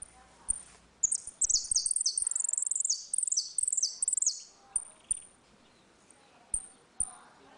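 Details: Ringing 'retinido' song of a Saffron finch in a dispute, used to tutor young birds: a three-second run of rapid, high, descending ringing notes, then pauses broken by single sharp high ticks.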